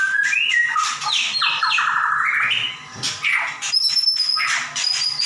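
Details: Loud song of a caged white-rumped shama: varied whistles, stuttering, rapidly repeated notes, rough, buzzy passages and thin, very high whistles near the end.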